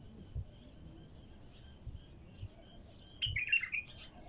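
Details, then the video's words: A wild bulbul sings faint high chirps, then a short, loud, warbling run of rich notes near the end, with low handling thumps throughout. "تغريد بلبل خام"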